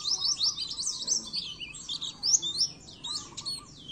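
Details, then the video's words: Oriental white-eye song for training caged birds: dense, continuous high chattering with rapid zigzag notes and brief louder bursts, sustained throughout with only short pauses. "masteran burung pleci"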